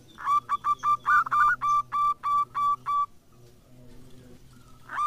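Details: Local zebra dove kept as a lure to set other doves calling: a run of about ten clipped, hollow notes repeated roughly three per second, then a pause and one more rolling coo at the end.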